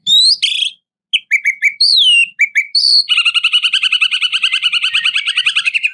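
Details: White-rumped shama singing to call up and provoke a rival. Loud, clear whistled notes and slurred phrases, then a long fast rattling trill of rapidly repeated buzzy notes running to the end; no other sounds.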